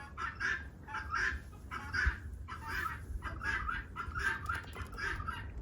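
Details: Guineafowl outside an off-grid homestead give harsh, rasping calls in quick bursts, a little over one a second, over a low rumble of outdoor noise.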